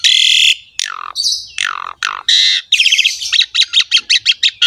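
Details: Asian pied starling, a captive bird, singing in a master recording meant to prompt silent birds to sing: loud harsh rasping notes and falling squawks, ending in a fast run of short repeated chirps.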